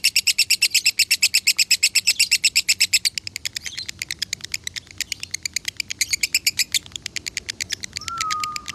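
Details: Caged lovebird of the konslet type in Salatiga, Indonesia, used as a training model, pours out a fast, even, rattling stream of sharp high chirps, about three a second, ending with a short lower whistled note.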